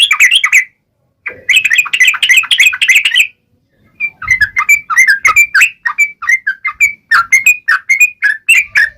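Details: Energetic yellow-vented bulbul song used to trigger other bulbuls into singing, with a dense burst of chattering notes, a short gap, then a long run of quick, varied whistles and chirps.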